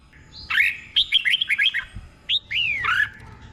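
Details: Red-whiskered bulbul tutor song for training caged birds in Thailand, doubled phrases: a bright warbled phrase, a quick run of five or six clear whistled notes, then after a pause two more slurred, falling whistles.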